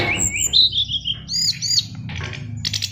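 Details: Oriental magpie-robin in a cage, a fighter bird, gives a short 'isian luber' passage of sliding whistles and looping high notes, ending in a scratchy burst, with low background hum throughout.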